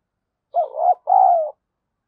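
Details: Spotted dove calling to lure wild doves, a single loud low phrase: a wavering first coo followed after a brief gap by a longer, slightly falling coo.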